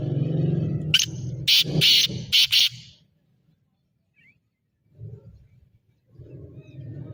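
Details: Black francolin, known locally as kala teetar, calling: five grating, buzzy bursts in quick succession over about two seconds, set against steady low rumbling background noise that drops away afterward.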